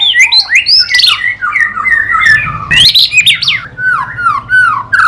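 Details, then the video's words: Varied White-rumped shama song mixing whistled slurs, quick chips and a brief harsh burst, delivered loudly at close range. "Kompilasi suara MURAI BATU terbaik 2017"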